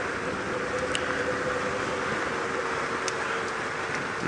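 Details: A vehicle drives during a sunrise safari drive, giving a steady mechanical drone and a faint hum, broken by a few sharp ticks. No animal calls are heard.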